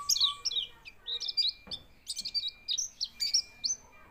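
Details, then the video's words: White-eye singing while quivering, a quick series of high, thin whistled and chirped notes, some slurred, over a soft low background rumble. "pleci bunyi sambil geter geter"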